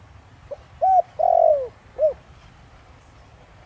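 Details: Spotted dove cooing in the 'Thổ Đồng' voice to draw wild doves into answering: a soft lead note, a short arched coo, a long falling coo, then a rounded closing note, over a quiet low rumble.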